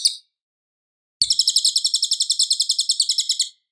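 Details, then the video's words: Loud, clear cililin song from a training recording for White-rumped Shamas: a brief trill ending, a pause, then a long rapid string of high chattering notes lasting over two seconds. "suara Cililin Gacor jernih keras berjeda 10 detik"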